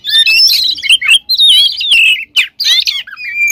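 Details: Oriental magpie-robin singing loudly, a lure meant to stir other birds of its kind into song; long, sweeping whistled phrases and buzzy rattles broken by brief pauses, with a lone clear note at the end.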